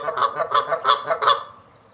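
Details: Canada geese honking while advertising and defending territories, in flight and just before take-off: five loud, nasal two-part honks in quick succession about every third of a second, fading out at the end.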